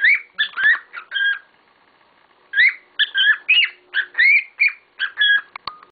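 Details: Several cockatiels calling excitedly: a burst of harsh rising chirps, a pause of about a second, then a long rapid run of scratchy, wavering calls.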